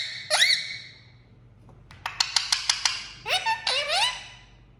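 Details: A pet green parrot gives nasal, rising squawks with a burst of sharp wooden tapping between them, in a quiet indoor room.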